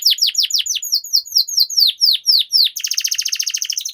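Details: Canary 'ngerol' rolling song, played as a master recording to teach and prompt canaries to sing. It starts with quick downward-slurred whistles, about four per second, then breaks into a fast, even, chattering roll.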